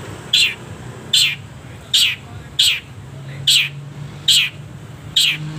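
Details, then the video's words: Long-tailed shrike recording used to train caged birds: seven short, high, harsh chip notes, evenly repeated about every 0.8 seconds, with a low hum underneath. "masteran // pancingan // setingan burung cendet penuh jeda"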